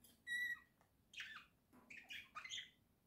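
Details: Caged pet budgerigars from a flock, October 2024: a clear, steady harmonic call opens, followed by rapid scratchy warbled chirps in two bursts.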